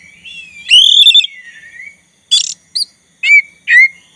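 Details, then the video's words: Oriental magpie-robin of the black-breasted form, a keen singer played to make a rival join in: a long rising whistled phrase with trills that falls away, then four short, loud, slurred whistles after brief pauses. "Kacer dada hitam gacor untuk pancingan agar kacer lawan ikutan bunyi"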